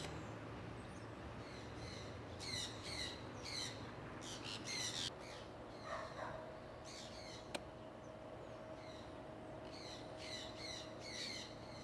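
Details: Owned conures out flying in Iowa during early spring 2003 utter scattered raspy squawks, clustered in the first five seconds and again near the end, with a quieter stretch between and faint outdoor noise.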